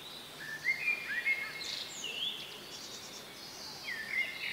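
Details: A bluethroat by the Tajo river at Aranjuez, Madrid, Spain, in May 2023, sings a varied phrase of high whistled slurs, sharp chirps and a brief dry ticking run, over a steady hiss of background noise.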